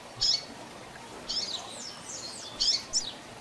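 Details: Double-collared seedeater giving tui tui zel zel style song for training young birds: a few bright, high whistled notes, some sliding downward, spaced out over a few seconds against faint background hiss.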